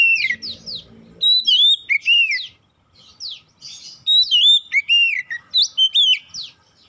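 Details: Song of an oriental magpie-robin, played to set other magpie-robins singing; rich whistled phrases mixing rising slurs, falling sweeps and short bright notes, delivered in two long bursts with a brief quiet gap.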